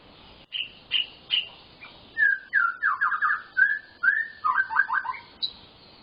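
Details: A white-rumped shama in full, varied 'full isian' song. It opens with three short high notes, moves into level whistles and a rapid stuttering trill, and ends with tumbling lower phrases and one sharp high note.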